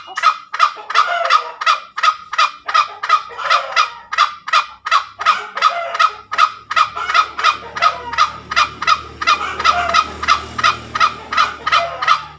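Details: Long ngekek cackle of a tame junglefowl, harsh nasal notes repeated nearly three per second, with a faint low hum rising in the background during the second half.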